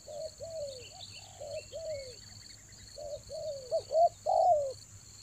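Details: Spotted dove calling to lure birds during the rainy season in Toba: two-part coo phrases with short notes and drawn-out falling coos. Uneven volume, louder near the end. Faint chirps in the background and a constant high whine.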